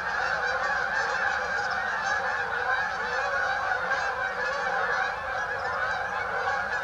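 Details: Massed honking of a Canada goose flock on St Anne's Lagoon, many voices merging into one constant din.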